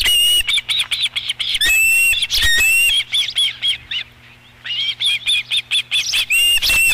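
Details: Osprey at a ranch nest cam, recorded 13 July 2016 as the fifth fish is delivered to the nest: rapid series of high, whistled chirps, repeated in bursts with brief pauses, plus wing flaps and a low steady hum.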